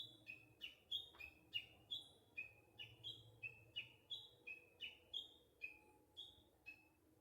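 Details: Springtime Japanese bush warbler delivering a long run of short, clear, downward-sliding notes, switching between a higher and a lower pitch at a brisk, even pace.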